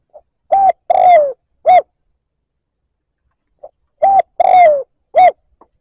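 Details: Lure recording of a spotted dove cooing to incite a rival: two identical phrases about three and a half seconds apart, each a faint lead note, a short coo, a longer falling coo and a clipped closing coo.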